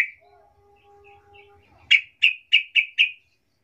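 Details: Soft lure call of a yellow-vented bulbul for drawing replies from other bulbuls: a faint steady tone first, then five evenly spaced bright, rounded notes about a quarter second apart.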